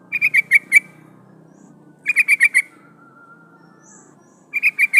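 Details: Female yellow-vented bulbul calling a male, used as a lure for wild birds: three bursts of five quick bright chattering notes about two seconds apart, with a faint thin whistle and low murmur between.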